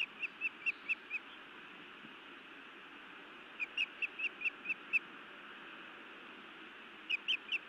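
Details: Scolding female osprey at her nest in Montana, 31 May 2017 around dusk, directed at her mate; three runs of rapid, shrill whistled notes, five to eight per run, with quiet gaps and steady low noise behind.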